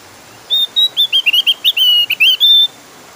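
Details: Lure song of a Javan grey-throated white-eye, clear and insistent: a rapid phrase of high, pure whistled notes, steady at first, then bouncing up and down in quick slurs before ending on a sustained whistle.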